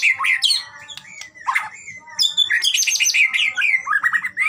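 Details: Varied, fast white-rumped shama song played to encourage a shama to sing: slurred whistles, harsh squawky notes and dense high twittering bursts, with faint low background noise.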